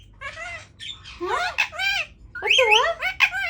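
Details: Pet Indian ringneck parakeet indoors, starting to try to talk: a run of harmonic, warbling, squawky phrases with wavering rising and falling tones, in two bursts separated by a short pause, and a sharp squawk at the end.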